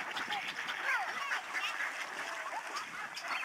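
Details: Snow geese flying in huge flocks over Alaksen National Wildlife Area, Delta, British Columbia, in March 2011. A softer, more distant babble of many short honks and yelps, overlapping densely throughout.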